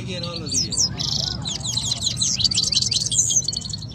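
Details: Two canaries singing against each other in a singing contest in Quetta; fast high twittering phrases, buzzy trills and sweeping whistles run without pause over a low background hum.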